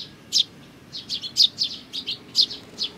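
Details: Sparrow chicks with parents, 17 May 2019: clear, sharp chirps, some clustered in quick twos and threes, sounding about once per half second.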